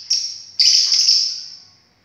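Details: Lovebird giving a shrill, high-pitched screech: a brief opening note, then a longer harsh squeal that slowly fades away.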